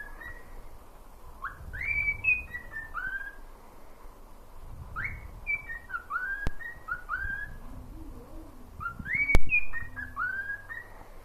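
A pet cockatiel whistles a lively song of rising and falling phrases, with low household rumble underneath.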